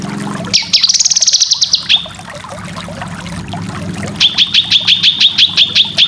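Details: Cucak kinoy song as masteran for training contest birds: a quick rattling trill, then a pause with low background hum, then a string of about a dozen clipped, evenly spaced chip notes.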